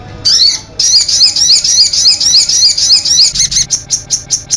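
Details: Sogok ontong sunbird, konin-style master recording meant to coax birds into song. A shrill, twisting twitter of fast looping high notes turns into a series of separate sharp chips about three a second.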